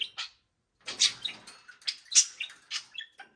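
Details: Energetic pet budgies on a Friday morning: one quick chirp, a brief silence, then a run of scratchy, high chirps and warbling squeaks tumbling over one another.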